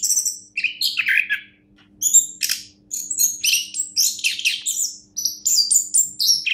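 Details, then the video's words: Orange-headed thrush, a champion songbird, singing a fast jumble of high chirps, trills and whistled notes in short bursts separated by brief pauses, with a faint steady low hum beneath. "anis kembang juara"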